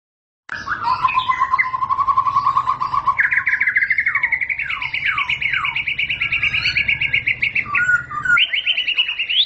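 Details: White-rumped shama (murai batu) singing in the ngentrok style: a long run of rapid repeated notes, first lower and steady, then higher with falling slurs, ending on a bright high trill, over a steady low hum.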